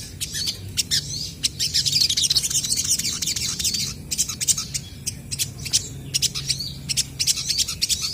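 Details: A chorus of crested jays in lively voice answering each other, irregular sharp clicks and rattles over a dense band of high chirping, louder in the middle, with a faint low murmur behind.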